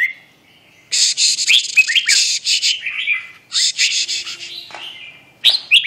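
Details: Red-whiskered bulbul song: loud, lively bursts of chattering, slurred whistled notes in two long phrases, with a short final phrase after a pause.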